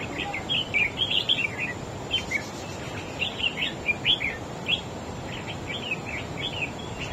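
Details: Red-whiskered bulbul, newly caught from the wild, in a singing duel against another bird: chirpy whistled phrases of short, sliding notes in repeated clusters, pausing briefly, with constant low background hiss.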